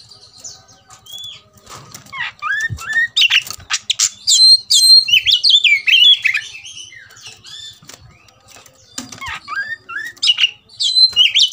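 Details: Oriental magpie-robin stirred up to fight, giving scattered whistled and scratchy phrases mixed with clicks and wing-flutter-like rustles; quieter start, then bursts of quick rising and falling notes with brief gaps.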